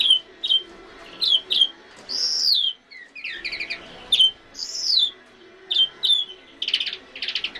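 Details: European Greenfinch singing: bright, varied chirps and short twittering notes around high pitch, broken by two drawn-out rising-and-falling nasal notes, with brief pauses between phrases and no other clear sounds.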